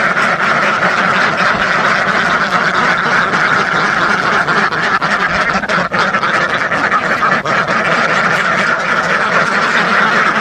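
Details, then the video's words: A huge duck flock, thousands strong, fills the air with constant massed quacking, a thick churning chatter that holds an even loudness throughout, with a few sharper clicks breaking through. "SUARA BEBEK WEK WEK ASLI KETAWA , DUCK SOUND EFFECT , SUARA BEBEK ASLI SUARA RIBUAN BEBEK"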